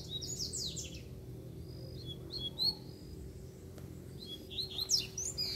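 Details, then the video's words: A loose, wild Double-collared Seedeater, called feisty ('fibrado'), sings rapid high twittering phrases of sweeping notes at the start and end, with scattered thin whistles in between, against a low steady hum. "QUANDO O COLEIRO SOLTO FIBRADO APARECE!!!"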